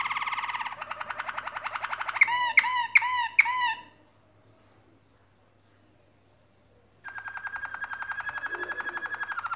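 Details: Canaries singing while building a nest: a fast rolling trill, four loud harsh squawk-like notes, about three seconds of silence, then a long, even, rapid mid-pitched trill.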